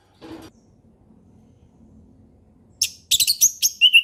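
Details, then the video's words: Forest recording of an orange-headed thrush singing relaxed ngeplong song as a tutor for young birds. Faint low rumble and a brief soft noise come first, then a loud, fast run of bright warbled notes ends with a clear falling whistle. "SUARA HUTAN ANIS MERAH NGEPLONG SANTAI"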